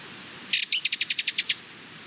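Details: Harsh, angry-sounding rattling call of a Sardinian warbler, about ten fast dry notes in one second, steady in pitch, in an otherwise quiet setting.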